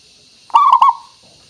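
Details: Local zebra dove song used as a lure to get other doves calling: one brief phrase of soft, low coos that breaks into a few louder, stuttered, rolling notes, then fades. The background is otherwise quiet.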